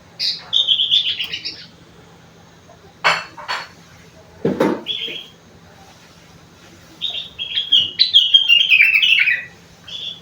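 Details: Sooty-headed bulbul delivering song filled with rengganis and cucak wilis phrases, warbled whistles at start and end, broken by loud clinking like dishes or glass in between.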